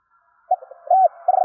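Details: Spotted dove call for provoking other doves: faint stuttered notes, a rounded coo and a sustained coo over a faint steady tone.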